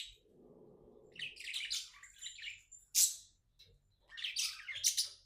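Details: Happy pet budgerigar chattering: buzzy warbled phrases, a loud sharp squeak near the middle, then renewed scratchy chirping; a soft murmur at the start.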